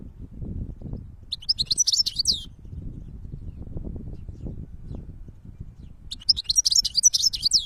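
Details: Goldfinch song in a natural setting, two separate bursts of rapid, high chattering twitters several seconds apart, with a constant low-pitched rumble underneath.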